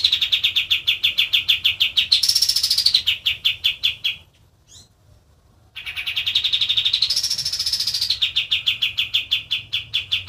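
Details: Energetic kapas tembak white-eye song: fast repeated high chirps with two rising, buzzy trilled passages, separated by a near-silent gap of about a second and a half midway.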